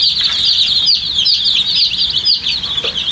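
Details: Baby chickens with coloured down cheeping with thirst for water; loud, continuous shrill peeping with no pauses, many voices overlapping into a single bright band.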